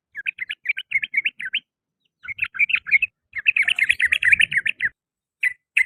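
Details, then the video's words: In the afternoon, a sooty-headed bulbul delivers quick strings of bright, twittering notes in three bursts, the last one densest, followed by two isolated chirps. "TRUCUKAN, KICAU DI SORE HARI"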